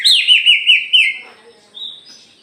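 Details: Frenzied singing by an Aceh white-rumped shama spreading its tail: a sustained bright whistle with rhythmic dips about every fifth of a second, then softer, higher trailing notes.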